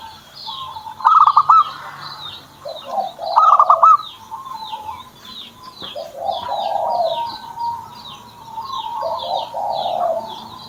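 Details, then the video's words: Zebra dove (perkutut) kept by its owner, giving two quick bursts of rapid, clipped cooing notes early on, then softer drawn-out coos. Many high, thin chirps from other small songbirds repeat throughout. "PERKUTUT SAYA JADI MAU BUNYI"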